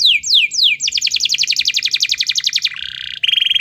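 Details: Energetic 'gacor' canary singing to prompt a silent canary: three sharp downslurs lead into a rapid, even rolling trill of many repeated notes, closing with short buzzy tones.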